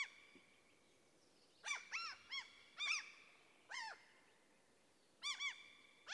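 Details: Common cranes in a forest in central Sweden give loud, ringing, arched trumpeted calls, singly or in quick pairs, a few seconds apart. An older breeding crane gives warning calls when a young golden eagle attacks it.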